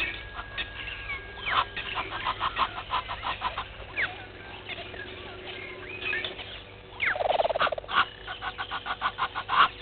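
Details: Red-billed hornbill looking for a meal at Gowrie dam waterhole, Djuma Game Reserve, Sabi Sand, South Africa, 07:48 on 20 March 2021: bursts of rapid clucking notes, other birds chirping and whistling around.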